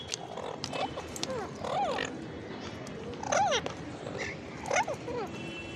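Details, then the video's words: Parakeet in India gives harsh, arching squawks that rise and fall, in loose bursts about every second, with sharp clicks and rustling between them. "Parakeet with original sound"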